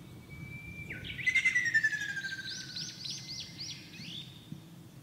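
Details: In Shizuoka Prefecture, Japan, on 2 June 2024, a Ruddy kingfisher, among several present, gives a descending, beating trill lasting over a second, while other birds chirp repeatedly in short rising notes behind it.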